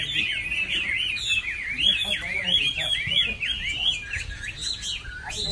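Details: Chinese hwamei, or China thrush, singing a fast stream of looping whistled phrases that swoop up and down, with faint background voices.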